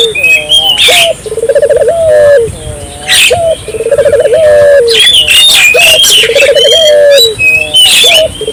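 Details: Ring-necked dove, used to stimulate local doves to call, gives repeated rolling trills and long coos. Loud, busy chirping and whistling from other birds nearly matches it throughout.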